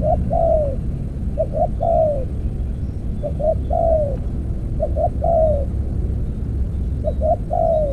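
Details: Spotted dove calling at a ground-level earthen decoy trap. Soft, low three-note coos are repeated, with the last note long and falling. Background rumble is steady.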